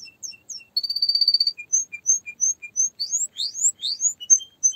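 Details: Canary performing varied song: a few chirps, a rapid buzzy trill, evenly spaced whistled notes, then loud upward-swooping whistles mixed with shorter chirps.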